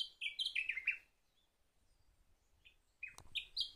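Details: Song of the Sakhalin grasshopper warbler: a rapid, rich phrase of alternating high and low whistles dropping into a rough trill, then silence before the next phrase begins with a sharp click and rising notes.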